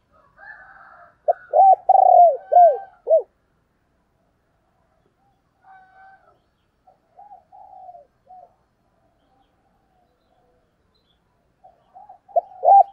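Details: Calling female spotted dove used as a lure for wild males, 'thổ đồng' style: a quick burst of five loud, bouncing, downward-slurred coos, then faint scattered murmurs and a final short burst.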